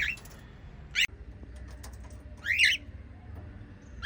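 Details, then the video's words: White lovebirds of the parrot family; a few harsh, squawky chirps spaced about a second or more apart over a low room hum. "White Little LOVE Birds Chirping Sound"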